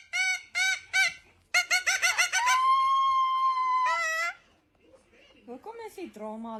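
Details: Two pet cockatoos in a dramatic exchange: loud, harsh, harmonic-rich squawks in quick bursts, then a long steady nasal tone, followed by quieter chattering notes.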